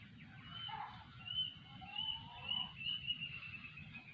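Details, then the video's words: A plaintive cuckoo, locally called kedasih or wi bakaran and believed to bring news or messages, gives a series of thin, high whistled notes repeated about every half second over a steady low hiss. "suara burung kedasih"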